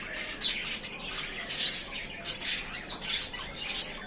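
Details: Pet budgerigars settled into a small new cage, said to be very happy, keep up lively, shrill chirping and warbling twitters, loud notes coming roughly twice a second.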